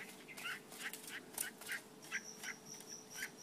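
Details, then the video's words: Mongolian lark singing: a rapid series of short, bright chirps and trills repeated several times a second, with a steady high whistle-like tone running through the latter half and a low constant hum beneath. "Mongolian Lark"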